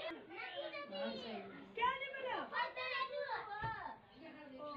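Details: A female rose-ringed (ringneck) parakeet kept as a pet talks indoors. It chatters in speech-like phrases, with bright rising and falling syllables in a fast, varied run.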